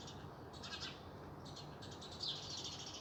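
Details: Several birds chirp and twitter merrily in spring, in high, quick bursts overlapping against a steady low background hum.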